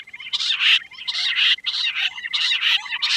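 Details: Quail calling in a series of loud, chattering bursts, each about half a second long, coming roughly every second, with a thin steady whistle-like tone running underneath.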